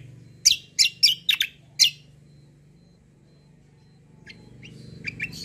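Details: White-eye fighter singing in 'kombo' style as song tutor material: five loud, sharp, high chirps in quick succession, then near silence before faint scattered notes return near the end.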